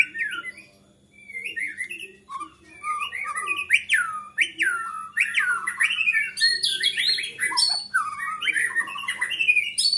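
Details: White-rumped shama in agitated full song that provokes rival shamas to sing: after a quiet start, a dense, continuous stream of varied whistles, sharp downward slurs, buzzy trills and high chips, growing busier toward the end, with a low hum beneath.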